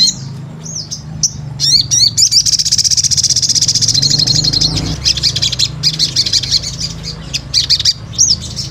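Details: Sunbird known locally as sogon, gacor calling for a pancingan lure: high slurred notes, then a long rapid buzzy trill, followed by scattered sharp chips, against a fairly loud low droning hum.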